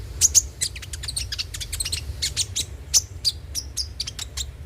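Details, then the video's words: Lure recording of Van Hasselt's sunbird, meant to prompt singing: dense rapid series of very high, thin chirps and ticks, closely spaced and uneven, with a constant low background hum. "pancingan suara burung KONIN agar rajin bunyi tiap hari"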